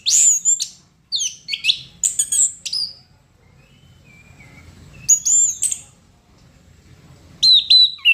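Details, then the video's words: Bursts of gacor song from a chestnut-capped thrush, each a cluster of high piercing whistles and chirps lasting a second or two, separated by quiet gaps with faint background hiss. "Burung Anis Kembang Gacor"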